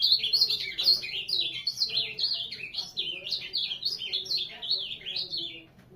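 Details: Ultramarine grosbeak singing a fast, continuous warble of slurred up-and-down notes, jumping quickly between high and middle pitches with no pause for six seconds, loud at the start and fading slightly toward the end.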